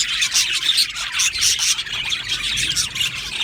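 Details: Australian budgies in an aviary colony, brief burst of crowded chirping with clear whistled notes over busy twittering.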